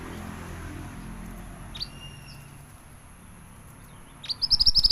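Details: Pied bushchat, described as a large bird in full song, giving a single thin high whistled note, then after a pause a quick run of high chattering notes that accelerates and is cut off at the end, over low background hum.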